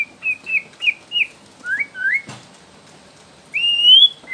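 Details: Young wild white-rumped shama from Borneo, used as a lure to prompt other shamas to sing: a run of short clear whistled notes near steady pitch, then two rising slurred whistles, a sharp click, and a long rich rising whistle at the end.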